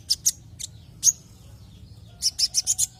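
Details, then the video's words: Javan white-eye lure sound meant to set other white-eyes singing: a few scattered high chirps, a pause, then a rapid even run of five sharp high notes, over a low hum. "Pancingan konin agar LANGSUNG NGOBRA dan GACOR"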